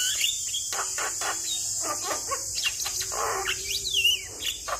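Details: Energetic Javan myna song offered as a prompt for a stressed bird, mixing grating chatter, clicks and a clear descending whistle near the end, with a constant high-pitched hiss behind.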